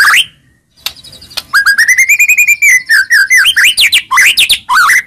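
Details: White-rumped shama song used to provoke an answering bird: a long sustained whistle arching up then down, breaking into quick varied chirps and slurred whistles, loud and rich.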